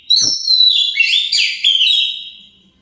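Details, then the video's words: An Oriental magpie-robin delivers a single loud phrase of sweeping whistles that ends in a long fading note, used to provoke other birds to reply. "Pancingan Kacer pasti nyaut"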